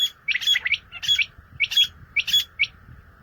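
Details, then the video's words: Common quail (Coturnix coturnix) call: four quick, liquid three-note phrases, one roughly every half second, over a steady high hum. "CALL COMMON QUAIL (Coturnix coturnix) Batair ki Awaz , Batair Sound"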